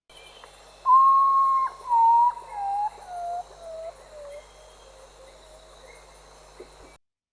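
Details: Common Potoo (Nyctibius griseus), Central or South America, giving its "poor-me-one" call: a mournful whistled series of about six notes, each lower and fainter than the last, with faint insects in the background.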